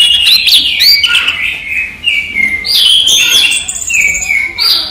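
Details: Caged orange-headed thrush (anis merah) singing in daytime, a fast rich run of whistled and chattering notes, sliding up and down, with a rapid high trill near the end.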